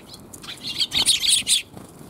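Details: Sparrows in a back alley on 28 January 2022 give a brief flurry of high, clipped chirps with soft wing flutter, after a short quiet start.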